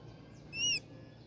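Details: A Tropical kingbird in Colombia gives one thin, high note lasting about a quarter second that rises slightly and then drops. A faint low hum sits underneath.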